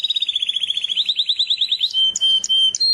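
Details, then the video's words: Canary song opening with a quick, even trill of rising chirps that climbs slightly in pitch, then shifting to a sustained pure whistle broken by short high accents. "زقزقه العصافير طيور الكنار كناري"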